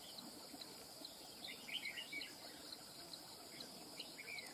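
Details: Wild-caught red-whiskered bulbul delivering a quick run of chirpy, slurred whistles mid-clip and a brief final flourish, set against continuous insect drone.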